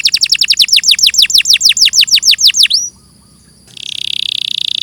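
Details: A canary delivers a rapid, even series of high downward-swept notes for nearly three seconds, pauses under a faint thin tone, then resumes with a loud buzzy trill. The recording is clear.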